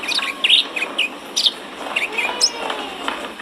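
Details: Konin in lively full song, a caged-bird training recording: a fast run of sharp, high chirps and short slurred whistles with brief pauses, without the long trills.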